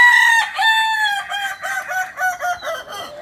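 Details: Close, loud crowing of a Kukuak balenggek chicken from Solok, West Sumatra, filling the whole stretch. The rooster's voice pulses in a long series of short linked syllables that slide and step lower.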